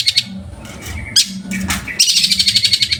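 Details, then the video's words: Caged long-tailed shrike kept as a master bird for training other songbirds, giving bursts of high, fast chattering notes, ending in a rapid rattling series of sharp repeated chips, with a low steady hum behind. "MASTERAN BURUNG CENDET"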